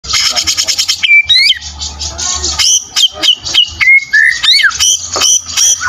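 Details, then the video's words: Caged white-rumped shama (murai batu) singing in full fighter style with a rich repertoire: a fast rattling trill, then loud clear whistles, some rising and some falling, and sharp upswept notes, with a low hum behind. "Murai Batu Full fighter materi mewah"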